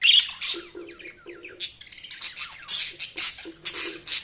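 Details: Budgerigars chattering with fast scratchy chirps and short buzzy warbles, several loud squawks spaced through the stretch.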